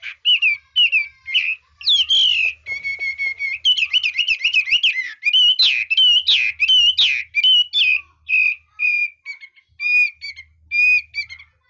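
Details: Red-whiskered bulbul singing with changing voice and refined style: a long varied stream of whistled and trilled phrases, fast rattling notes mixed with clear slurred whistles, ending with spaced single notes.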